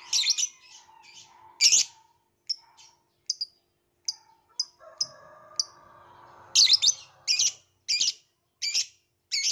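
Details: Violet lovebird chirping: sharp, harsh high squeaks in quick bursts, clustered at the start and again near the end, with shorter clipped chirps between and a faint steady hum underneath.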